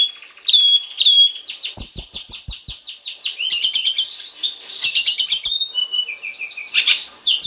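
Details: Snowy-browed flycatcher in vigorous varied song, meant to prompt other birds to sing: thin high whistles, then fast tumbling twitters and trills in a long unbroken stream, with occasional sharp clicks.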